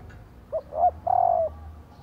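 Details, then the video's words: Female spotted dove (cu mái) calling to prompt male doves to coo: a soft short note, a louder arched coo, then a long, pulsing, gently falling coo, all low and mellow. "Tiếng Cu Mái/ cu mái kêu kích chim cu gáy trống gáy theo"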